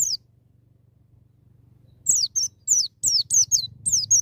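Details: A white-eye sings the wild ngalas style with piercing nembak notes, meant to stir young birds into song: one high falling whistle, a long pause, then a rapid, irregular run of thin downslurred notes about 100 a minute over low hum.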